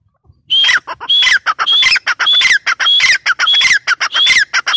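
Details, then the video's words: Grey francolin (teetar) in a sustained calling bout: strident phrases come back roughly every 0.6 seconds, each opening on a high pure note and tumbling into shrill, descending, scratchy syllables, with brief silences between. "Teetar sound | Partridge sound | gray francolin teetar voice"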